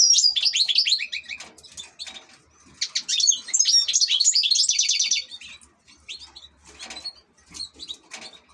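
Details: An ornamental European goldfinch delivers a lively warble of quick twitters, a buzzy rattling stretch in the middle, then sparse light chirps.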